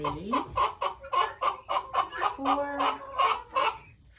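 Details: Flock of nine guineafowl being shut in for the night after coming home to roost. A rapid run of loud, grating, ratchet-like notes, around fourteen in four seconds, fading out at the end.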